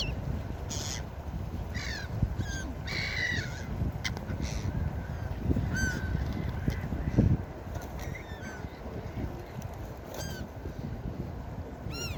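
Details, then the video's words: Gulls calling at the beach: several harsh, harmonic cries and short yelping notes scattered across the clip, some in quick bursts, over a constant heavy roar of surf. "4k Seagull Beach Sound Effect| Seagull sounds for Sleeping and Deep relaxation| Seagulls Sounds"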